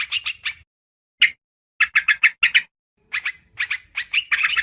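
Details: Trucukan karuang, a yellow-vented bulbul, on a lure recording giving scattered bursts of sharp, clipped chirps separated by silent gaps. The notes come quicker and denser toward the close.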